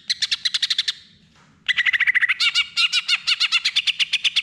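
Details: Greater green leafbird song meant to coax a quiet bird into answering: a quick series of sharp repeated notes, a brief pause, then a long rapid chatter of bright, slightly slurred notes mixing high and mid pitches.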